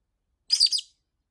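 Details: Single grating shriek from a pet rosy-faced lovebird protesting a week without playtime, made of three fast rasping pulses in well under half a second, then quiet.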